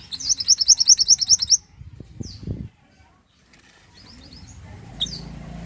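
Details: Pied bushchat in full song, used as master recording for songbird training: opens with a fast trill of about ten bright rising high notes, followed by a soft flutter, a pause and a few thin chirps.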